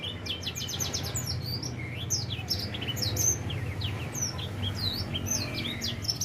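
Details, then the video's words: Edel sanger finch, four months old, in early song: dense, rapid high twittering of upswept and downswept chirps, nearly nonstop, over a low steady hum. "Kicau Burung edel Sanger Umur 4 bulan mulai gacor"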